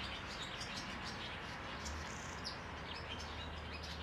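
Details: Eurasian tree sparrow by its nest hole on 12 May, giving scattered, sharp chirps and brief tweets at irregular intervals, with a constant low rumble underneath.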